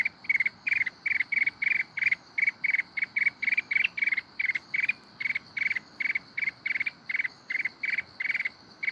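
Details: Fast, evenly spaced bursts of rattled chips from a mountain red-whiskered bulbul in kít bổi forest-voice style, repeated around three times a second without whistles, over a steady high-pitched hum.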